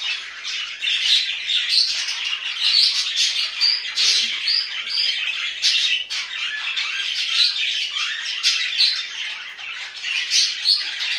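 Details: Domestic budgerigars chatter nonstop, a busy mix of rasping squawks, squeaky twitters and short whistled notes layered over one another, with a few sharper clicks punctuating the stream.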